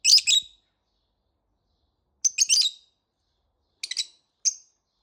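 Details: Lovebird chirping in the morning, short groups of high, harsh squeaky notes in four bursts, the last a single clipped whistle-like peep, with silence between groups.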